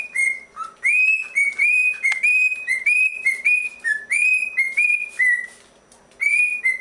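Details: Cockatiels at bath time after a late breakfast of bread crumbs and carrots, one being spritzed: a cockatiel sings a run of clear, whistled notes, some rising and some level, in quick phrases.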